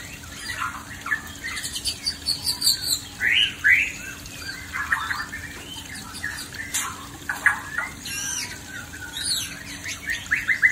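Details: Male white-rumped shama singing while facing an aggressive female: scattered clear whistled phrases and short rising and falling notes, with softer chirps between and a steady low hum underneath.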